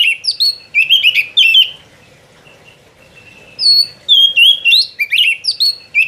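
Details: Oriental magpie-robin singing steadily, with loud whistled phrases of rising and falling slurred notes, some sharp chirps, and a quieter pause of about two seconds in the middle before the phrases resume.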